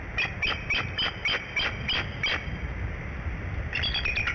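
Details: Early-morning calls of an incubating adult female Bald Eagle at the Decorah nest, summoning her mate for shift relief: a rapid run of eight shrill, chittering notes, a brief pause, then a fresh cluster of piping notes.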